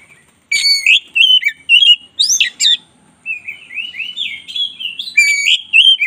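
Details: Black-breasted white-rumped shama in full song, used as a master recording for training: bursts of ringing whistles with harsh buzzy accents, then a run of softer warbled notes and a final loud whistled flourish.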